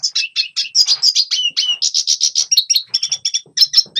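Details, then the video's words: Red siskin in song, intended for training young birds to sing: rapid high, clipped chirps repeated several times a second, some with down-slurred whistled tails, ending in scattered twittering notes. "Red Siskin Singing Best Song Training - Yellow siskin tập cho chim non hót"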